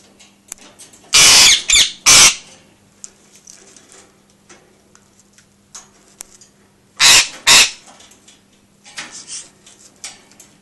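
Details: An angry parrot throws a fit indoors after its owner filmed another parrot, giving harsh, hissing squawks in two loud bursts of raspy screeches with softer chatter between; the "ggggghhhhewww" sound near 5 seconds comes from an African Grey beside her.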